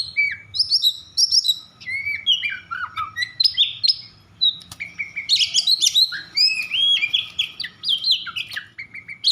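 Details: Emotional, agitated Oriental magpie-robin song used to goad other magpie-robins into singing: long run of quick varied chirps, trills and whistled slurs in two loud bursts with a short lull between.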